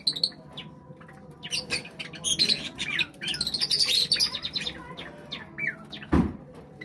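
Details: Java sparrows chattering while eating. A dense stretch of overlapping high chirps and twittering notes swells in the middle, a single low thump sounds near the end, and scattered chirps continue afterward.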